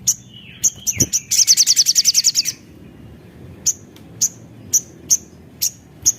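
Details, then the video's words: Javan cochoa singing to stimulate other birds: a burst of chips leading into a fast high buzzy trill, then single sharp chips repeated about every half second. "Suara Jernih Burung Sogon Gacor Pancingan Ampuh"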